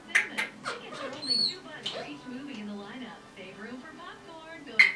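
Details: Captive female red-bellied parrot aged 10.5 months mumbling talk-like phrases and little noises, with a clear high whistled note early on and a sharp squeak to finish.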